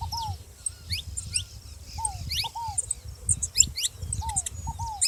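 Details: A saffron finch calling alongside a ground dove: thin, high, rising chirps scattered irregularly, mixed with repeated mid-pitched down-slurred notes, fairly faint over low rumbling background noise.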